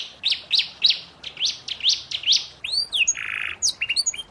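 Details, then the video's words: Canary song recorded for training juvenile canaries in moult: spaced rising chirps about twice a second, then sweeping whistles and a short buzzy burst. "masteran kenari paud kenari mabung"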